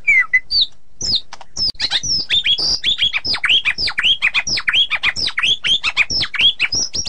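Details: White-rumped shama pouring out a fast, continuous rolling song of high sharp chirps and downslurred whistled notes, densely packed and run together with hardly a pause.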